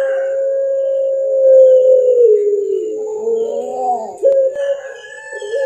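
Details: Captive Barbary dove (puter) of the prized pelung singing type, mastered recording: a long, steady, drawn-out coo held for about three seconds, then a wavering falling note and a brief rising hoot, with a faint constant high hiss.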